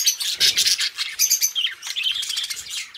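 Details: Two pet budgies chatter nonstop, a bright jumble of buzzy warbles, rapid chirps and brief clear whistled notes, with a rising and falling squeaky phrase near the end.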